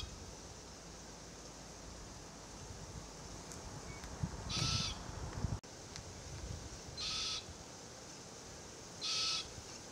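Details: Immature Forest Red-tailed Black-Cockatoo (Calyptorhynchus banksii naso), a threatened subspecies, calling incessantly from a Marri tree while its parents feed on green gumnuts nearby; three harsh, grating calls about two seconds apart over a quiet background.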